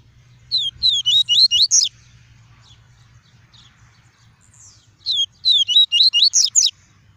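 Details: Double-collared seedeater, a caged bird, delivering its pure tuí tuí song meant to warm up other seedeaters and tutor fledglings: two phrases of six or seven fast, high, slurred whistles each, separated by several seconds of near silence over a low hum.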